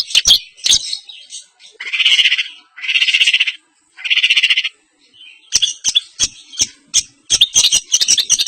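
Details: Long-tailed shrike, East Javanese semi blangkon style with fill phrases laid out: sharp clicks and chips, then three drawn-out buzzy rasping bursts about a second apart, followed by rapid chattering notes.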